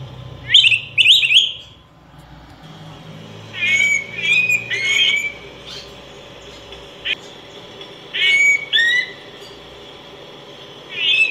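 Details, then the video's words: Critically endangered Araripe manakin, a Brazilian forest bird described in 1996: repeated harsh, whistled chirps in short groups, separated by pauses of a few seconds, with faint low background rumble. "Saltarín De Araripe Cantando"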